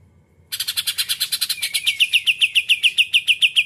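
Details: Caged Greater green leafbird singing the 'isian kapas tembak putar' style: after a short quiet start, bright rapid chattering notes repeat about four per second and settle into a steady, slightly descending sharp pulse train.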